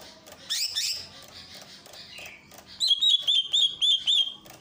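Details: Greater green leafbird song from Ujung Kulon, a training recording with a water fountain: a burst of sharp high chirps, then a run of clear whistled notes repeated about four times a second, over steady splashing water.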